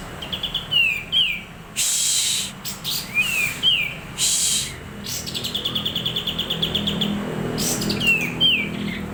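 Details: White-rumped shama, a kept songbird, in a training recording for other birds: short, clear slurred whistles and a quick run of repeated notes, broken by loud rustling bursts over a steady low background hum.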